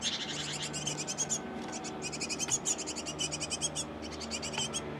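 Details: Great tit pair tending a nest box brood; continuous fast high chirping in overlapping strings, with a faint low hum running underneath throughout.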